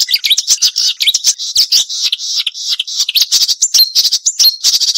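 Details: Marsh warbler delivering a continuous, sharp, high warble of quickly changing notes and short slurs, with scratchy and whistled elements mixed together.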